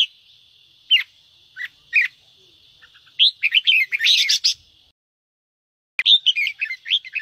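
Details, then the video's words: Red-whiskered bulbul singing kích ché song to trigger caged birds: scattered single chirps, then a tumbling burst of rich warbles, a brief silent break, and more bright phrases. "Chào mào hót kích ché cực nhạy"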